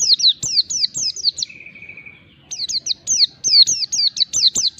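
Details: Mountain white-eye song played to spur a lazy bird into calling, high rapid downslurred whistles strung in fast runs, broken by a short level thin trill before the quick notes resume.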